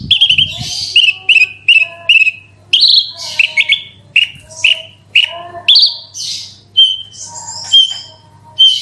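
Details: Horsfield's bush lark delivering a vigorous 'roll tembak' song as a lure for other larks: varied chirps, whistled slurs and buzzy bursts strung in quick phrases, some notes repeated in runs of three or four.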